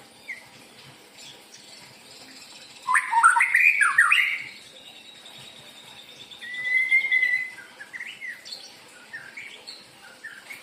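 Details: Lure recording of a white-rumped shama singing: a loud tumbling phrase of looping, liquid whistles, then a long pause, a drawn-out whistled note with a warbling flourish, and scattered short chirps.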